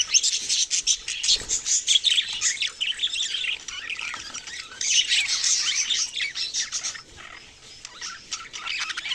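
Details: Many budgerigars chattering together in a dense, continuous mix of high, scratchy chirps and warbles, with overlapping squawks and no clear pauses throughout.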